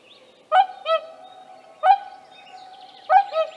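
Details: Wild whooper swan with young at Tāši, Latvia, on 15 May 2024: loud, nasal trumpeting honks, four in about three seconds, some doubled, with faint twittering of small birds behind.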